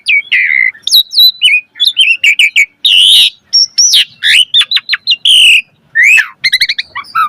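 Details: Asian pied starling in full fill-in song, used to prompt other birds: flat whistles, chattering bursts, loud rasps and a quick series of short upward-flicked notes, delivered rapidly and continuously.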